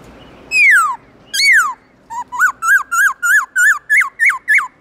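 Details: Morning forest-voice song of a black-throated laughingthrush. Two long falling whistles lead into a rapid string of about nine short, bouncing, clear whistled notes at an even pace.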